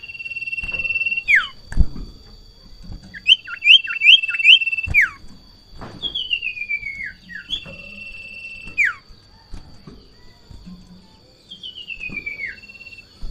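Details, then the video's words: Caged sirtu in strong breeding condition, agitated and jumping on seeing a rival or a female: short bursts of clear whistled notes, some falling, some repeated quickly, with pauses between, over a steady high electronic tone and faint knocks. "Sirtu Ngamuk Narung"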